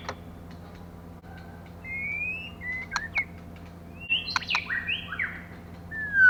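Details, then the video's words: Female white-rumped shama, a call used to stimulate males. It gives sparse, clear whistled notes of short level and sliding slurs. Sharp clicks break in between them, and the phrases grow busier toward the end over a steady low hum. "choè lửa mái kích trống"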